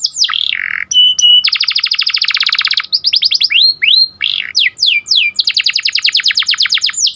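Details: Atlantic canary song used to train canaries and stimulate breeding birds, sharp "cuit cuit" rolling: fast trills of rapid repeated notes alternate with loud upswept whistles and steady rattling rolls.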